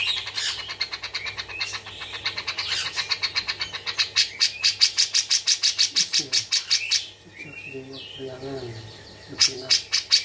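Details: A tame captive grey-cheeked bulbul gives a fast series of sharp, high, sparrow-like chirps, about three a second, with a person briefly speaking partway through.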